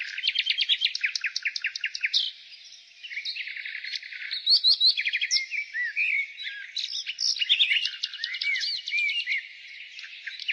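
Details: Spring song of a nightingale. It opens with a fast, evenly repeated series of loud clipped notes, then moves into mixed whistles, slurred rising notes and chattering trills, dense and continuous throughout.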